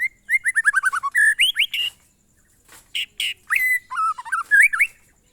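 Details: White-rumped shama, or murai batu, singing the monotonous glondong song: a rapid descending series of repeated whistles, upward slurs, a pause, then harsh buzzy notes and varied looping whistles.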